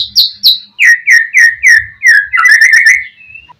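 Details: White-rumped shama singing to draw a rival's answer: two high whistles, then a series of even downslurred notes at a steady pace, ending in a quick rolling trill and a thin fading note.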